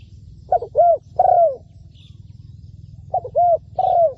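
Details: Decoy spotted dove in a ground-trapping setup giving two soft, mellow three-note coo phrases, each rising then falling, separated by a pause of about two seconds, with a low hum underneath.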